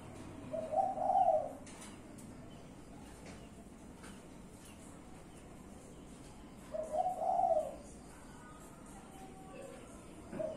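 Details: Spotted dove from a kept collection cooing: a low, mellow, slightly wavering phrase, then a repeat about six seconds later and another starting at the end, over steady background hiss.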